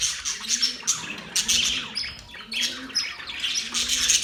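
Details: Budgerigar song tied to mating: a busy mix of squeaky chirps, short whistles and rasping warbles, with a faint low humming tone recurring every half second or so.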